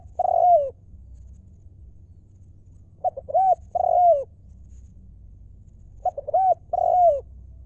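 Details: Spotted dove, a wild-stock decoy bird, calling in the 'lio' style: two short soft notes, then a rounded coo and a long falling coo. The phrase repeats every three seconds over a low steady hum.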